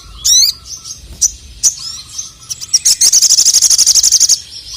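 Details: Male crested jay singing to agitate rivals: sharp rising whistles and isolated high notes, then a fast even rattle of around twenty-five pulses in under two seconds.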